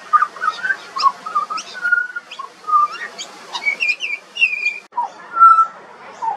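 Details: Juvenile pied butcherbird (Cracticus nigrogularis) in Australia sings a rambling run of mellow, fluted whistles slurring up and down, with faint high chips from other small birds behind.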